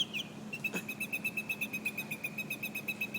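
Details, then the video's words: Singing nightingale in Alexandria delivering a fast, even string of identical sharp notes, about four per second, held at one high pitch throughout, with a faint steady background hum. "A Nightingale in Alexandria"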